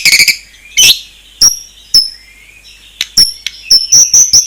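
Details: A white-rumped shama sings isian phrases: sparse sharp ticks and clicks separated by short pauses, with high thin whistles at the close.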